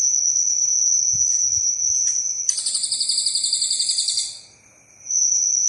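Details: Cililin singing in a master recording for training cage birds: a burst of rapid, buzzy, high chattering pulses lasts nearly two seconds, set against a constant shrill insect-like drone that briefly drops out.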